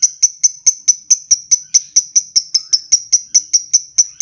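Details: High, crisp ticks repeated steadily about every quarter second by a lovebird, the ngetik phase of its long ngekek, with nothing else audible.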